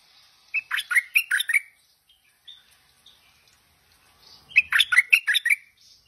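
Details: Two bubbly, chattering phrases of quick warbled notes from a tame Stripe-throated Bulbul, about four seconds apart, with soft scattered whistled notes in the gap between them.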